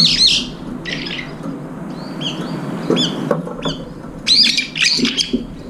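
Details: Brown-eared bulbuls gathering at a window feeder by a food bowl; shrill, squealing call notes, some sliding upward, scattered through the clip with brief pauses, against a low background hum.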